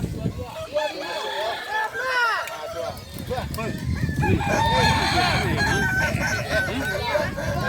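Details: Kukuak balenggek roosters at a crowing competition at Sirukam dairy farm, Solok; many long, undulating crows pile up, joined after a few seconds by a low rumble of crowd noise.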